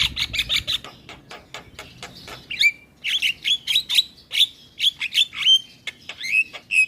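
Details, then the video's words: Black-winged starling singing strongly in captivity, used to stimulate silent starlings: rapid chattering clicks, then repeated downslurred whistled notes about every half second, bright and piercing. "Suara Asli Jalak Kebo gacor Full Manggut manggut Pas Buat Pancingan Jalak Bisu"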